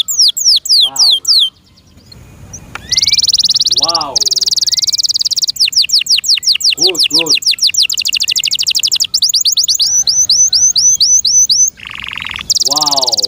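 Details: Kept canary alternating dense high trills with quick falling whistled notes over several phrases, while a man's voice calls out admiringly several times.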